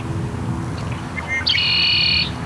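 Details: Red-winged Blackbird at a spring wetland pond at Zweck Farm along the St Vrain, Longmont, where territorial blackbirds abound: a couple of short clipped notes, then a long ringing buzzy trill of almost a second, over low wind or distant traffic rumble.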